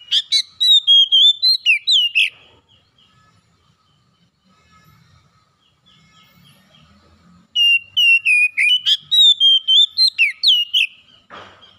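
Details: To rouse a reluctant oriental magpie-robin, its song is played: a fast series of loud whistled notes with downward sweeps, then a quiet stretch of faint low rustling, then the same lively whistled phrase returns, closing with a hiss.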